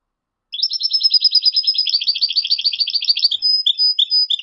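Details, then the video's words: Moroccan-style European goldfinch song with 'ڨازرات' and 'سررر برتبرتيو' phrases: a fast, continuous twittering of high tinkling notes, ending in short separated chirps. "تغريد مغربي ڨازرات + سررر برتبرتيو canto jilguero marocco"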